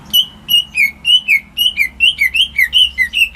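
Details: Home-kept greater green leafbird whose song serves as a lure for birds that have stopped singing; clear whistled notes, some level and some falling, delivered evenly about four per second.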